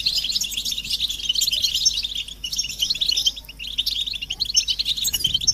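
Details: European goldfinch group chatter, recorded to stimulate a silent male to sing; dense bursts of high tinkling twitter rise and fall in waves over a faint low hum.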